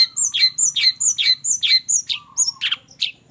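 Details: Long-tailed shrike in a combined song recording, giving a rapid run of harsh, buzzy notes about two per second, each sweeping down. A faint steady whistle and a low pulsing hum run underneath.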